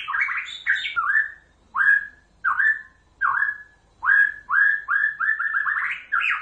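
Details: Pasaman white-rumped shama giving clear whistled notes that slide downward, repeated in spaced bursts roughly every second, then a quicker series of similar whistles at the close.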